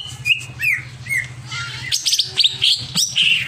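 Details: Over-emotional, agitated greater green leafbird giving upslurred whistles, then a dense run of sharp chirps and bright trilled phrases, lively and varied, above a steady low mechanical hum.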